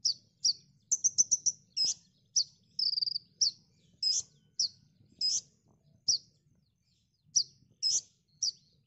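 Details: Konin song from a training recording for cage songbirds: high, sharp chirps and short trilled bursts repeated in quick, irregular phrases with brief pauses between, over a faint low hum.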